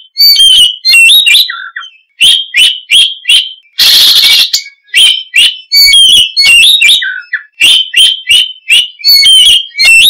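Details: Oriental magpie-robin in full, lively song: loud whistled and harsh notes around 2–8k, delivered in rapid repeated bursts about twice a second, with one broad rasping burst midway and short low slurred notes.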